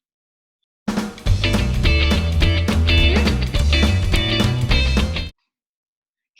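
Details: A few seconds of band music with bass, guitar and drums, and no animal voice.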